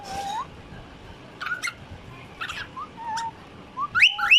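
A cockatiel gives short rising whistles and harsh chirps in an irregular run.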